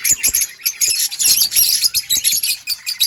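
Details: Budgies chirping in rapid high chatter, short clicks and twittering notes packed closely together.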